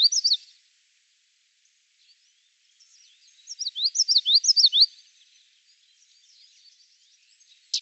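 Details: Eastern United States warbler, the Common Yellowthroat: a brief high burst, then after a pause a clear run of rhythmic, repeated down-slurred whistled phrases lasting about a second and a half, followed by faint, scattered high chips.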